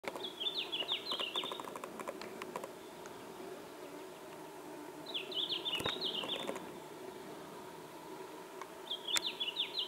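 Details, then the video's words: A red-flanked bluetail sings on the Ural ridge, Ural Mountains, Russia, on 19 June 2016: short, high, tumbling phrases of quick notes, each about a second long, repeated every four seconds over a steady rushing background with faint ticking. "Blåstjärt - Red-flanked Bluetail (Tarsiger cyanurus)"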